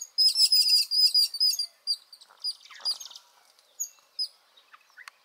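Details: Yellow-billed Babblers, morning at Timbaktu, Anantapur district, Andhra Pradesh, give a dense burst of shrill squeaky chattering thinning into scattered sharp chirps, several birds mobbing in alarm at a rock python slithering from the undergrowth, alongside robins, prinias and sparrows.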